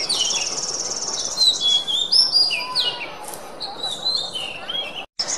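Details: Oriental magpie-robin song recording used as a tutor (masteran) for captive birds: a varied, rapid run of high, clear whistles and sliding warbled phrases over a steady background hiss.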